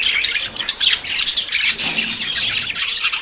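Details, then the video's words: Budgerigars courting before breeding: a crowded, ceaseless high-pitched warble of chirps, clicks and squeaks from many birds at once, with short louder bursts. "CON ESTE AUDIO TUS PERIQUITOS SE APAREARÁN"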